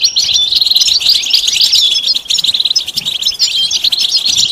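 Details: European goldfinch twitter of bitbita and sitsita type, calls for mating and readiness that push a quiet male to sing: crisp, rapid chirps and liquid slurs run in a steady, bubbling stream.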